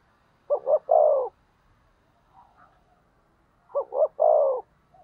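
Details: Two clear phrases from a decoy spotted dove meant to provoke rival doves, each two short coos leading into a longer, falling coo, with a faint soft note in the pause.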